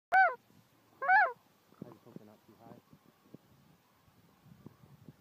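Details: Canada geese, a huge flock flying in low at night under a full moon while hunting in Ontario, Canada, recorded on an iPhone: two loud ringing honks near the start, then softer overlapping honks and chatter from the flock.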